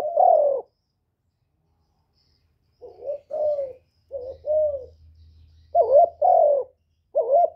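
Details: Kept decoy spotted dove singing, recorded up close with little background noise: a single low mellow coo, then after a pause a run of short throaty cooing notes with wavering, rolling pitch, the last ones louder.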